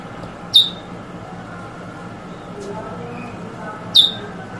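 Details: Eurasian Bullfinch, drawl and weet drawl calls: two short, sharp notes that slur downward, about three and a half seconds apart, over a soft constant low hum with nothing else calling.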